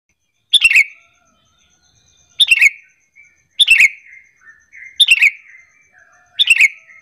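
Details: Sooty-headed bulbul calling as a lure for rival bulbuls to reply: five short, bright chattering phrases that drop in pitch, spaced about every one to one and a half seconds, with soft quieter notes between.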